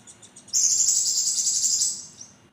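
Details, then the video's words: Javan kingfisher giving a sharp, vigorous call: one long, loud, harsh, high-pitched buzzy scream lasting about one and a half seconds after faint ticking notes, then fading. "Burung konin gacor nembak tajam"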